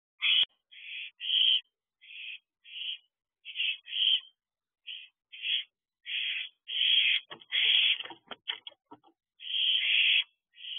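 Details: Barn owl owlets at a nest box at night, around 1:44 am: a rapid series of harsh hissing screeches, some short and some drawn out, overlapping from several young, with clicking sounds between them.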